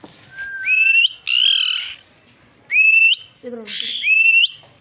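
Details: Slaty-headed parakeet giving alternating calls: clean upward-sweeping whistles and rough, buzzy squawks, about four loud notes in five seconds, with short silent gaps between them.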